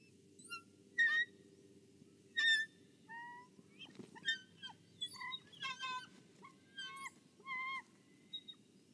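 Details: Bald eagle at its nest in Kisatchie National Forest, guarding the egg, picked up by a nest camera: a stuttering run of short whistled notes with strong overtones, some paired and clipped, others slightly longer, over faint low background hum.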